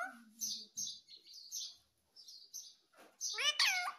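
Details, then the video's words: A talking parrot gives a string of short, high chirps, then a loud, harmonic, rising-and-falling call near the end, with quiet gaps between bursts. "Natural Parrot Sound ❤️ talking Parrot mummy papa"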